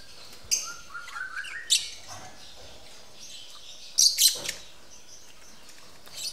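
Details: Lovebirds mating at a breeding facility that also keeps white-rumped shamas; sharp, high chirps come in scattered bursts, with a brief clustered pair near the end and a few soft whistled slurs early on.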